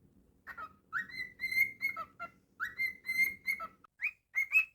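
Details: Whistled song from a pet cockatiel: bright sustained notes linked by brief drops and rising slurs, grouped into two similar phrases and then a few short rising chirps, with faint room hum beneath.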